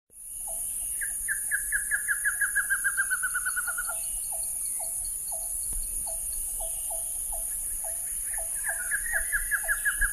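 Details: Scarlet-rumped Trogon in Thailand giving a quick descending run of about a dozen clear notes, repeated later, over steady lower chirps and a constant high insect whine.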